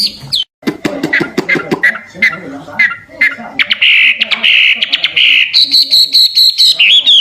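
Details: Wambi, the hwamei, singing for songbird training: opens with sharp clicking and rattling notes, then shifts into sustained, slightly wavering whistles that become higher and more level toward the end.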